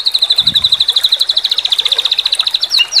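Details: White-rumped shama tutor song in sambung susun style with tembakan phrases: a rapid pulsing trill of high clipped notes that slowly falls in pitch and ends in a few quick slurs, with a brief low thud early on.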